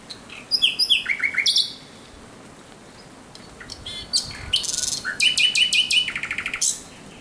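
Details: Thrush nightingale singing at night on 17 May 2023: high, varied phrases of sharp repeated notes, including a rapid descending series, a pause, then bursts of clicking rattles and a fast run of five identical chirps, against a quiet night background.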